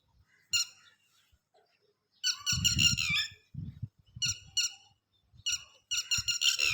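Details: Red-wattled lapwing guarding its chicks, with male and female sharing the protection. Sharp, shrill, stuttering call bursts start after a lone note, joined by low thumping or rustling sounds.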